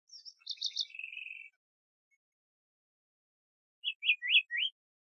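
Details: Buzzy stuttered notes and a level dry trill from a Diademed tanager, followed after a pause by four quick rising-and-falling whistled notes.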